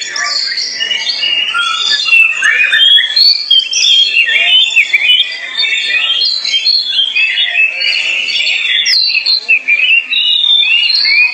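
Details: An albino Oriental magpie-robin (Copsychus saularis) sings without pause: rich, varied whistles and rapid twittering phrases, high and bright, with sharp chattering notes mixed in.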